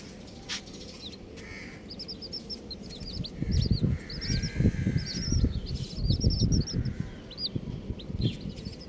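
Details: Colourful baby chicks peeping: bright, arched high chirps in rapid irregular strings, densest in the second half, over heavy low-frequency rumble and occasional knocks.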